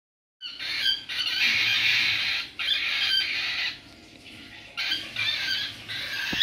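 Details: A hand-fed baby cockatiel (Nymphicus hollandicus) crying for food gives harsh, rasping begging squawks in long sustained bursts.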